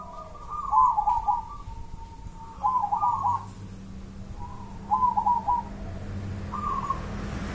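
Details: Wild local zebra dove of Java, Indonesia, singing stuttering, trilled cooing phrases every couple of seconds, each a quick run of rolling notes, over faint low hum.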